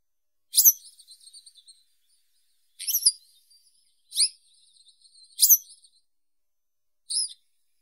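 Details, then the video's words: Western yellow wagtail song: five short, sharp, high-pitched phrases, each a loud downslurred note trailed by faint ticking, spaced one to two seconds apart against a quiet, clean background. "Как поёт Трясогузка жёлтая (Motacilla flava)"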